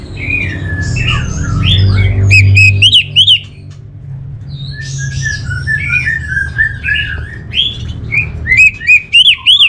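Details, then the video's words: Orange-headed thrush kept as a songbird in Bali, singing soft varied twitters then clear rising whistled phrases repeated in short series, with a steady low hum in the background. "Suara ANIS MERAH"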